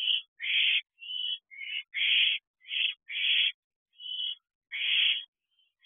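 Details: Two barn owl owlets returning to their nest box at 9:22 pm on 6/12/23: harsh, hissing screeches about half a second long, repeated roughly every half second with short silent gaps.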